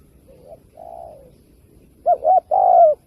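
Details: Spotted dove giving a lure call used by bird trappers. Soft, low coos open the recording. After a short pause comes a loud phrase: a quick doubled note followed by a longer, steady coo that falls slightly.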